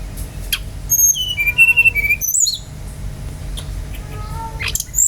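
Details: Brown-chested jungle flycatcher in lively song, meant to spur other birds to sing: a high whistle drops into a rapid string of warbled mid-high notes, a sharp upward slur follows, then quiet hiss and a final high whistle.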